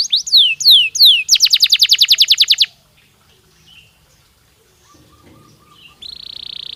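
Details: Canary song intended to stimulate breeding: a few slow downslurred whistles and a quick bright trill, followed by near silence with faint soft sounds and a late buzzy tone.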